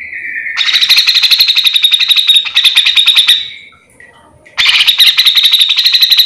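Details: Grey-cheeked bulbul singing continuously and energetically, recorded to train or lure other grey-cheeked bulbuls: a brief whistled note, then long streams of fast, rattling, buzzy notes, pausing once before the chatter resumes.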